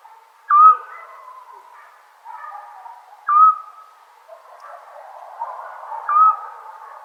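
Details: Eurasian scops owl on a summer night in Serbia: short, clear whistled 'tyoo' notes at a steady mid pitch, about every three seconds, over a faint murmur of background noise.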